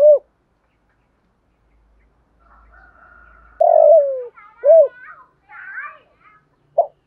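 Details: Spotted dove call used as a lure for wild doves. Low coos include a long falling note and an arched note, and higher, brief chirping bird notes sound faintly between them.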